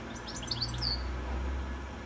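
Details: Evening goldfinch song from a high telephone wire before sunset, a brief run of quick high chirps ending in a drawn-out descending whistle, with a low rumble underneath.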